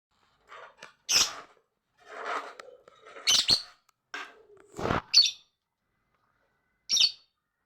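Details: Lovebird chatter: loud sharp shrieks reaching high pitch mixed with softer raspy chattering notes, irregular bursts spread over several seconds with short silent gaps.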